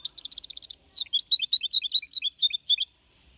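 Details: Young goldfinch hybrid of four and a half months, Malaga copy song recorded in 2021: dense bright twittering, a swooping downward slur, then quick chattering notes that stop abruptly, leaving near silence.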